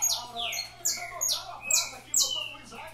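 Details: A captive-bred Saffron finch sings bright, high notes that slide steeply downward, repeated roughly every three-quarters of a second, with a lower trilling phrase running underneath.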